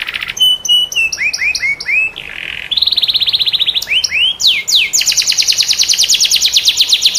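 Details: Canary in full gacor song, a cengkok style offered for training other canaries: steady whistled notes, a run of arching rolls, a buzzy middle tour, then a long rapid high trill.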